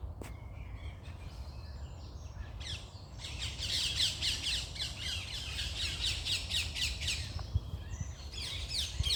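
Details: A dense morning chorus of birds: after a few thin notes, a loud continuous wash of fast high chirps and trills swells and runs for several seconds, with a low rumble underneath.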